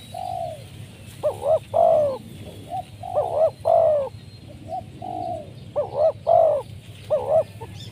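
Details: Decoy spotted dove for luring wild doves, cooing in repeated phrases of soft lead-in notes, doubled bouncing syllables and a loud descending coo, about three phrases, steady low hum behind.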